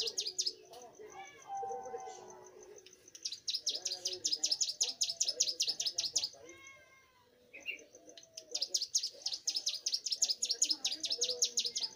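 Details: Young bar-winged prinia singing actively: bursts of fast, sharp, high chipping notes in long runs, with a pause mid-clip and a short descending series of lower whistles, over a steady high tone and soft low background sounds.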